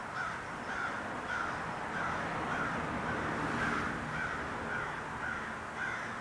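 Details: Crow calling loudly on December 7th, 2020, while a young calico cat turns and looks around; short harsh caws repeat about twice a second, fairly faint against steady broadband outdoor noise.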